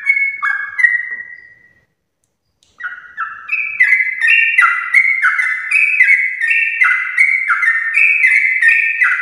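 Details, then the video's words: Sooty-headed bulbul in morning 'ropel' song, played to get other bulbuls singing: an opening phrase, a second of quiet, then a long, even stream of stepped whistles bouncing between higher and lower tones. "trucukan gacor ropel panjang Perangsang biar trucuk aktif ropel saat pagi hari"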